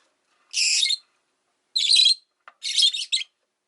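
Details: Rosy-faced lovebirds, five caged near a window, give long, grating squawks: two drawn-out harsh notes, then a broken run of rasping bursts.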